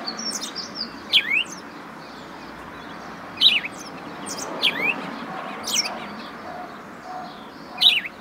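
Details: House sparrow chirping at uneven intervals of about one to two seconds. Each note is a sharp, high, downward-sliding chirp, and several come in quick pairs. Soft background noise runs underneath.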